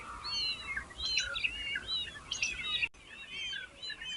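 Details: Hungry baby birds being fed by their mother: dense bursts of high, thin chirps and twittering notes, overlapping and repeated rapidly, with a short gap near the end before the chirping resumes.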